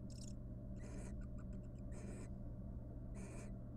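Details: Wild barn owl pair in a nest box, courting after raising three nestlings: raspy hissing screeches alternate with a quick series of soft, ticking twitter notes, above a steady low mechanical hum.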